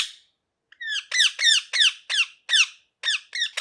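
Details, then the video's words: Parrot, a pet ringneck, repeating bright downslurred squeaky calls about every quarter second in an uneven series after a short pause, indoors. "Parrot Chirping Sounds | Natural Parrot Sounds | Parrot Calling Sounds"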